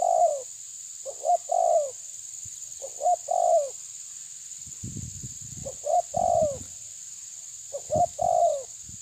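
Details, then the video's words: Spotted dove confronting a rival: four phrases of soft cooing, each a clipped double note and then a longer falling coo, separated by short gaps, with a few low thumps and a steady high whine behind. "Terkukur menekan lawan bikin emosi"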